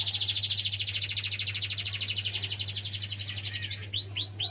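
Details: Canary singing melodiously: a fast, even trill of bright high notes, about ten per second, runs for nearly four seconds, then gives way to a few separate rising, sweeping whistles, over a steady low electrical hum.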